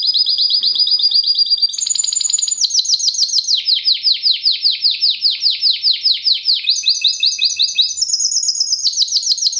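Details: Classic-style Timbrado Español canary song from a fast, metallic, strong 2013 bird: loud unbroken rolling trills of rapid metallic pulses, shifting pitch between sections every second or two, some voices sounding unusual.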